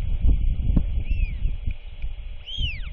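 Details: Just before dark on 27 March 2024, a royal albatross chick with its feeding father gives a faint arched squeak, then a stronger downward-curving one, against buffeting wind.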